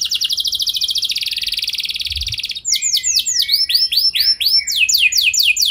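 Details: Canary song meant to stimulate other canaries into long rolling song: a long rapid buzzy trill for over two seconds, followed by a series of loud sweeping downslurred notes in quick succession, quiet background.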